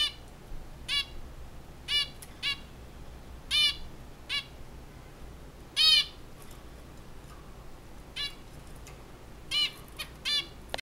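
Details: A singing zebra finch gives short, nasal, toy-trumpet beeps at uneven intervals, about one every two seconds, over a low steady hum.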